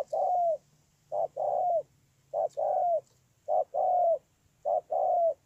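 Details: Spotted dove in Kon Tum's Tu Mơ Rông district, 10/1/2018, giving four two-part coos, each a clipped opening note then a longer falling hoot, spaced about a second apart against near silence.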